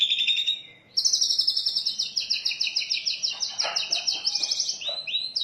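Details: Oriental magpie-robin song with rich varied mimicry, used as a lure and training master: a long rapid chatter of repeated high notes, with buzzy fragments and background rustling.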